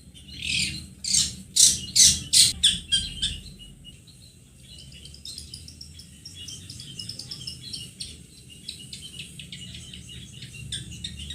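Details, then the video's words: Long-tailed shrike lure sound meant to set young birds calling. It opens with a fast series of loud, harsh, rasping bursts, then settles into steady soft, high twittering with faint background hiss. "Pancingan pentet paud agar bunyi"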